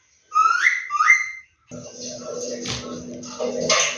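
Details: A pet Indian ringneck parakeet (Psittacula krameri) in talking mode gives two quick, rising whistled phrases, then a stretch of rough, breathy vocal sound over a steady low hum.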